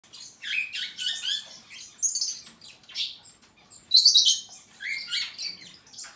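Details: Superb starling singing a busy, varied run of chirps, trills and short whistles, bursts rising and falling with a loud bright flourish near the four-second mark.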